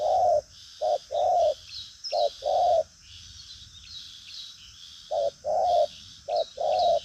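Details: Spotted dove known for hard, driving cooing: a mellow, low short-long hooting pair repeated several times, with gaps between phrases, while a constant thin buzzing of insects runs underneath.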